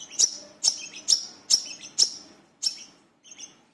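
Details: Lure recording of a brown-throated sunbird, locally wiceh or manggar, singing to coax other birds: loud, sharp high chips about every half second, each followed by a softer squeaky trail, the last notes quieter.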